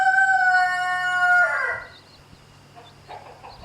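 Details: Rooster near a hen with chicks that it is harassing; the end of a loud harmonic crow, held steady, then falling and fading after about a second and a half, leaving quiet background with faint chirps.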